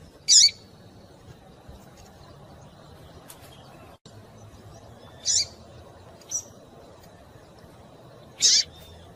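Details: Female double-collared seedeater (coleiro tui-tui) calling eagerly to excite males: three short, sharp, high chirps spaced several seconds apart, with a fainter note between, over a quiet, steady background hiss.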